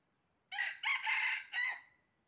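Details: Crow of a red junglefowl heard during trapping on 20 January 2023: four harsh, brassy syllables in about one and a half seconds, the middle pair longest, the last cut short with a thin trailing tone; faint background hiss.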